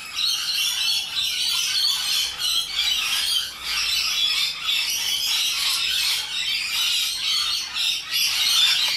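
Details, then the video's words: Rainbow lorikeets screech and chatter loudly in a thick, unbroken wall of shrill, raspy calls that swell and ease in rough pulses. "Loud and Obnoxious Parrots - Rainbow Lorikeets"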